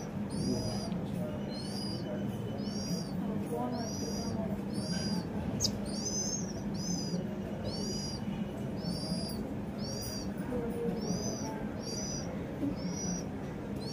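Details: House sparrow living at a home, calling with a long series of sharp, high chirps, about one each second, against a heavy continuous low hum.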